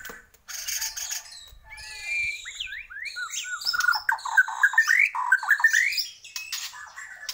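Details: White-rumped shama of the Borneo type singing vigorously: varied sliding whistles and falling sweeps build into a rapid, rattling string of bright notes, some high harsh notes mixed in.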